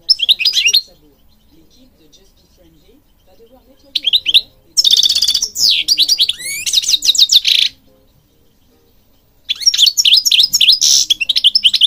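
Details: European goldfinch singing, a bird from Morocco kept for training other birds; bursts of fast twittering and buzzy high notes, with pauses of silence between phrases.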